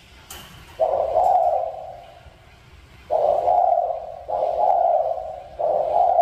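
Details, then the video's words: Spotted dove from a mountain region giving low, hoarse, even coos, each about a second long, in a group of three after an opening note, with gaps between phrases and a soft background hum. "Cu Gáy Người Vùng Núi"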